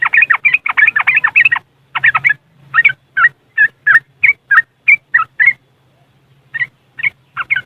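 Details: Yellow-vented bulbul singing its ngriwik song, West Java, Indonesia, used as a lure for caged birds, phone-recorded: rapid bubbly chatter slowing into single warbled notes roughly every third of a second, a pause, then more notes.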